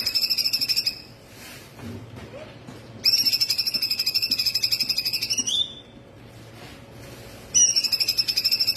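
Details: Laughingthrush (cungkok) full song recorded to train other birds: repeated bursts of a rapid, buzzy pulsed trill held on one high pitch, the middle burst ending in a brief upward slur, with short silences between.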